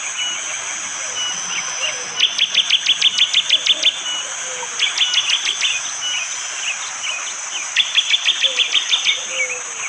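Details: Bar-winged prinia, East Java, Indonesia, forest in the morning with rain, phone-recorded: three bursts of fast, sharp, evenly spaced chips, ten or so notes each, separated by pauses, over constant shrill insect noise.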